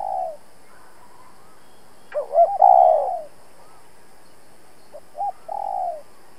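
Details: Spotted dove used as a decoy, giving a challenging coo: a loud group of quick rising hoots running into a long falling coo, then a softer short hoot pair and another drawn coo.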